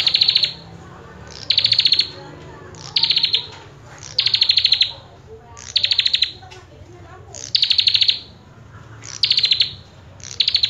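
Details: Common tailorbird singing steadily: bright, rapid trills of sharp high notes packed into bursts under a second long, repeated about every one and a half seconds across the recording, with a faint low hum throughout.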